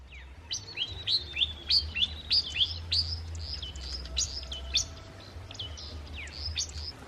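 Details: Red-faced cisticola calling during a morning birding outing: a quick run of sharp, high, down-slurred whistled notes, nearly two per second, over a low background rumble.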